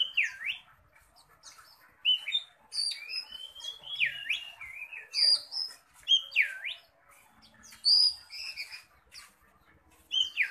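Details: Oriental magpie-robin ready for contest, singing aggressively as it flares: loud whistles that dip sharply and rise again, repeated every few seconds, mixed with high clipped notes and short trills, over a quiet background.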